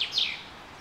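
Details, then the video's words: Birds in spring during the super bloom at Carrizo Plain National Monument, California, USA: two quick, high chirped notes, each sliding downward, then a faint thin whistle, in a quiet open-air setting. "Nature Sounds Super Bloom Birds"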